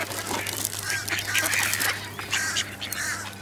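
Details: Ducks being fed at the Newburgh waterfront on 23 November 2014, a 55 F day; a busy chorus of harsh nasal calls overlapping through the whole stretch, with splashing and broadband clatter.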